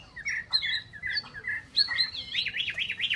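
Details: Chinese hwamei repeating clear, mid-pitched whistled notes, then breaking into a fast, rolling up-and-down trill of looping whistles.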